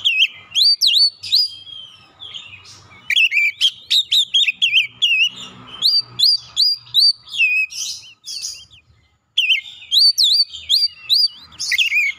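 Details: Song of a white-rumped shama used as a stimulus for a stressed bird: rapid series of bright whistled notes with looping upslurs, in long bursts broken by a short silence near the middle.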